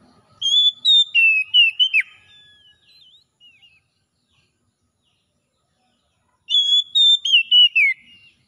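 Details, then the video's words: Wild-style 'ngalas' song of an Oriental magpie-robin, used to coax a silent bird back into song: two loud phrases of ringing whistles and falling slurs separated by several seconds of quiet with a few soft notes. "SUARA NGALAS TERAPI PEMULIH KACER NGEDROP BUNYI CEPAT GACOR"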